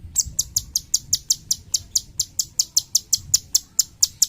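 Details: Cucak cungkok bulbul, a songbird prized as a tutor for training other singing birds: sharp, very high chirps repeated steadily about four times a second, each a short bright note, over faint low background rumble.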